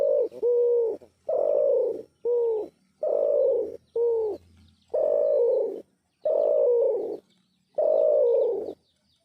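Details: An unidentified bird calling: low, hollow cooing notes, each about half a second to a second long, some slightly bent or wavering, given in an even series of about eight with short gaps and no other clear sounds.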